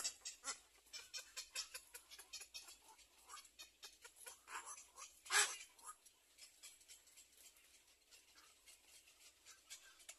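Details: At a little black cormorant nest where the mother covers her chick, a steady run of short, dry, rasping notes comes about three per second, with one louder harsh burst midway.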